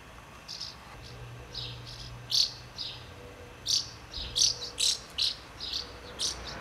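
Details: House martin feeding its young in Přerov-Kozlovice, Czech Republic, giving bright high chirps and dry twitters, several louder notes clustered in the second half, with faint low hum underneath.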